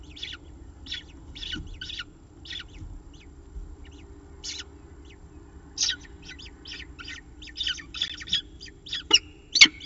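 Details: Peregrine falcon Xavier, seeming indecisive during a second breakfast at a nest cam at Charles Sturt University, Orange, NSW, gives short, harsh, high squealing notes in quick irregular bursts, about two a second, over a low hum, with a sharp knock near the end.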